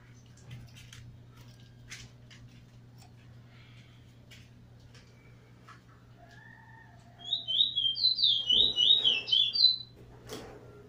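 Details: Chestnut-bellied seed finch, called Trini bullfinch, brown nurser facing a teacher in a Trinidad singing match, 2018; after quiet scattered clicks, a short run of sweet looping whistles and chirps, then a faint soft mew.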